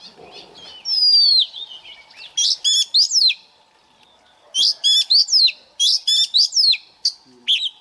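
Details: White-rumped shama decoy singing during daily morning voice practice: a long clear descending whistle, then bursts of fast ringing, stuttered notes repeated several times a second; quiet background hum.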